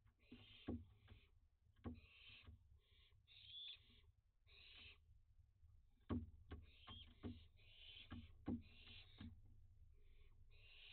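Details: Barn owl youngsters at nightfall on 29 June 2021, during a drought, playing near a bird bath: short, broken hissing screeches come in irregular bursts, mixed with sharp knocks and tapping sounds.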